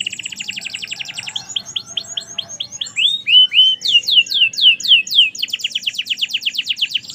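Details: Canary in full merlok-style song: rapid high trills repeated many times, shifting to slower sweeping downslurred notes and back to fast buzzy trills, with faint low background hum.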